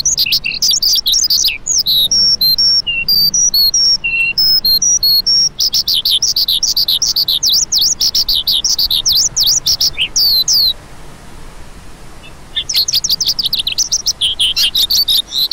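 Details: Calling lark with fast, jumbled high chirps and trills, then a long run of quick repeated sharp notes, a short pause near the eleventh second, and a renewed burst of twittering.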